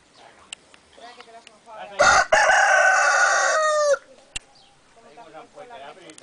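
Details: A domestic rooster, said to be giving some of its last crows, lets out one loud, harsh crow lasting about two seconds. It starts broken, then holds steady and drops slightly at the end, with faint clucking and background noise before and after.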